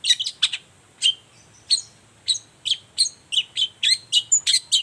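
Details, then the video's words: Long-tailed shrike singing in the morning to draw answers from other shrikes: a steadily quickening string of crisp, slightly downslurred whistled chips, several per second by the end. "Suara cendet gacor Pagi Hari pancingan jitu BIKIN cendet diam langsung nyaut ikutan bunyi"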